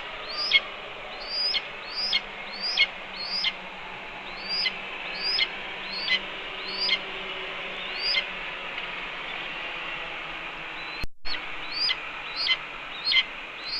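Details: Female red-tailed hawk at a nest cam calling at her mate as he delivers a chipmunk for the pantry, evening; high, thin downslurred squealing notes repeated roughly every 0.7 seconds, with a brief click partway through.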